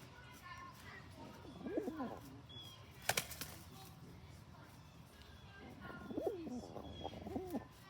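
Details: Grumpy male rock pigeon bullying others: two low, swooping coo phrases separated by a sharp clap like flapping wings, with soft chirps of other birds and background murmur.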